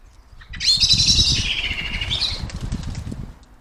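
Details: Common blackbird giving its screeching alarm as it takes off, frightening other birds: a harsh, shrill screech of rapid chattering notes lasting about two seconds, over a low rumble of wind.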